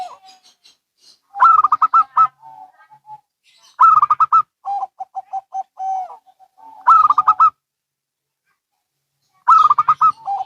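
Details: Local and Bangkok zebra doves calling back and forth; four loud bursts of rapid, higher rolling coos, each answered by a steady run of lower staccato coos ending in a drawn note.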